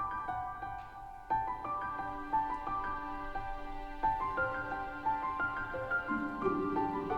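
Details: Gentle instrumental music with soft plucked notes plays throughout, and no animal sounds are heard.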